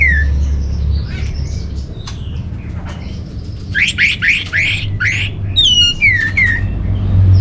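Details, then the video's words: Orange-headed thrush song, northern Bali, used to lure and tutor caged birds: an opening falling whistle and scattered soft notes, then a rapid run of loud rising notes followed by descending slurred whistles, with a steady low drone. "Bikin Geger ANIS MERAH Dirumah Pasti Gacor || Pancingan sekaligus Masteran Burung Punglor"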